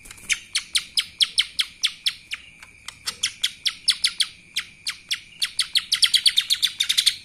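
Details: Kapas tembak style singing by a lesser green leafbird: a long, steady stream of sharp high chirps, around four per second. It quickens into a dense rapid flurry near the end, with a thin constant tone behind it.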